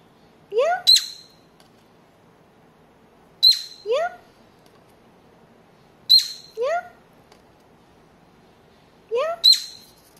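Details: Indoor pet cockatiel playing peek-a-boo with its head in a paper tube; four paired phrases about every three seconds, each a low upward sweep followed by a sharp, high chirp.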